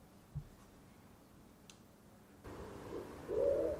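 After a quiet start, a wood pigeon's soft, low, hollow cooing swells in over the last second, muffled as if played indoors.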